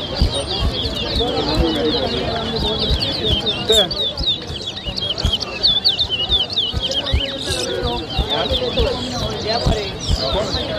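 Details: Chestnut-bellied seed finch (towa towa) in a bird whistling competition at Lusignan, Guyana, 2023: rapid high chirps and twittered phrases run almost continuously, with music and crowd voices underneath.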